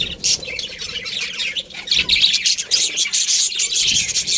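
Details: Busy budgerigar chatter: rapid high chirps, squeaks and harsh warbles crowd together in an almost continuous stream.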